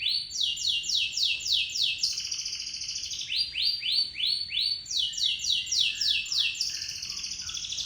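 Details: Canary of local stock singing its extended roll as a lure: phrases of quick falling whistled notes alternate with brief dense trills, repeated about three to four times per second, clear and loud.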